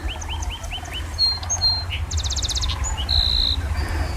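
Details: Song sparrow singing on a sunny April day at Montour Wildlife Management Area in western Idaho: quick upslurred notes, a bright buzzy trill and clear whistles over a low rumble, with distant sandhill cranes and other birds.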